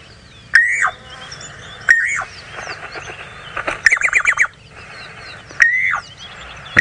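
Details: Levaillant's cuckoo call played back on an early morning safari drive in Sabi Sand, Kruger area, South Africa, 29 November 2017: loud, arched whistled notes every second or two, broken by a fast stuttering run; other birds twitter faintly behind.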